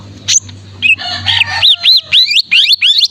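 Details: Greater green leafbird singing for training contest birds: a harsh buzzy passage followed by five or six loud arched whistled notes in quick even succession, with low hum early on.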